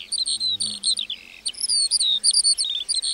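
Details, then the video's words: Lark singing in a meadow with brisk high chirps, a drawn-out whistle and short buzzy notes strung closely together. "Singing lark in the meadow"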